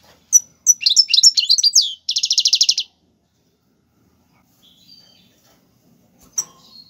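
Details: Royal Algerian goldfinch song for training chicks, tiwawati galoubi and serfati styles: a few sharp calls lead into rippling high twitters, then an even rattling trill of about ten notes, followed by quiet with one late chirp.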